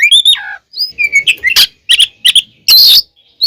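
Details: Oriental magpie-robin singing a loud fighting song used to provoke other birds: clear whistles dropping in pitch, then harsh buzzy bursts and rasping notes in quick, broken phrases.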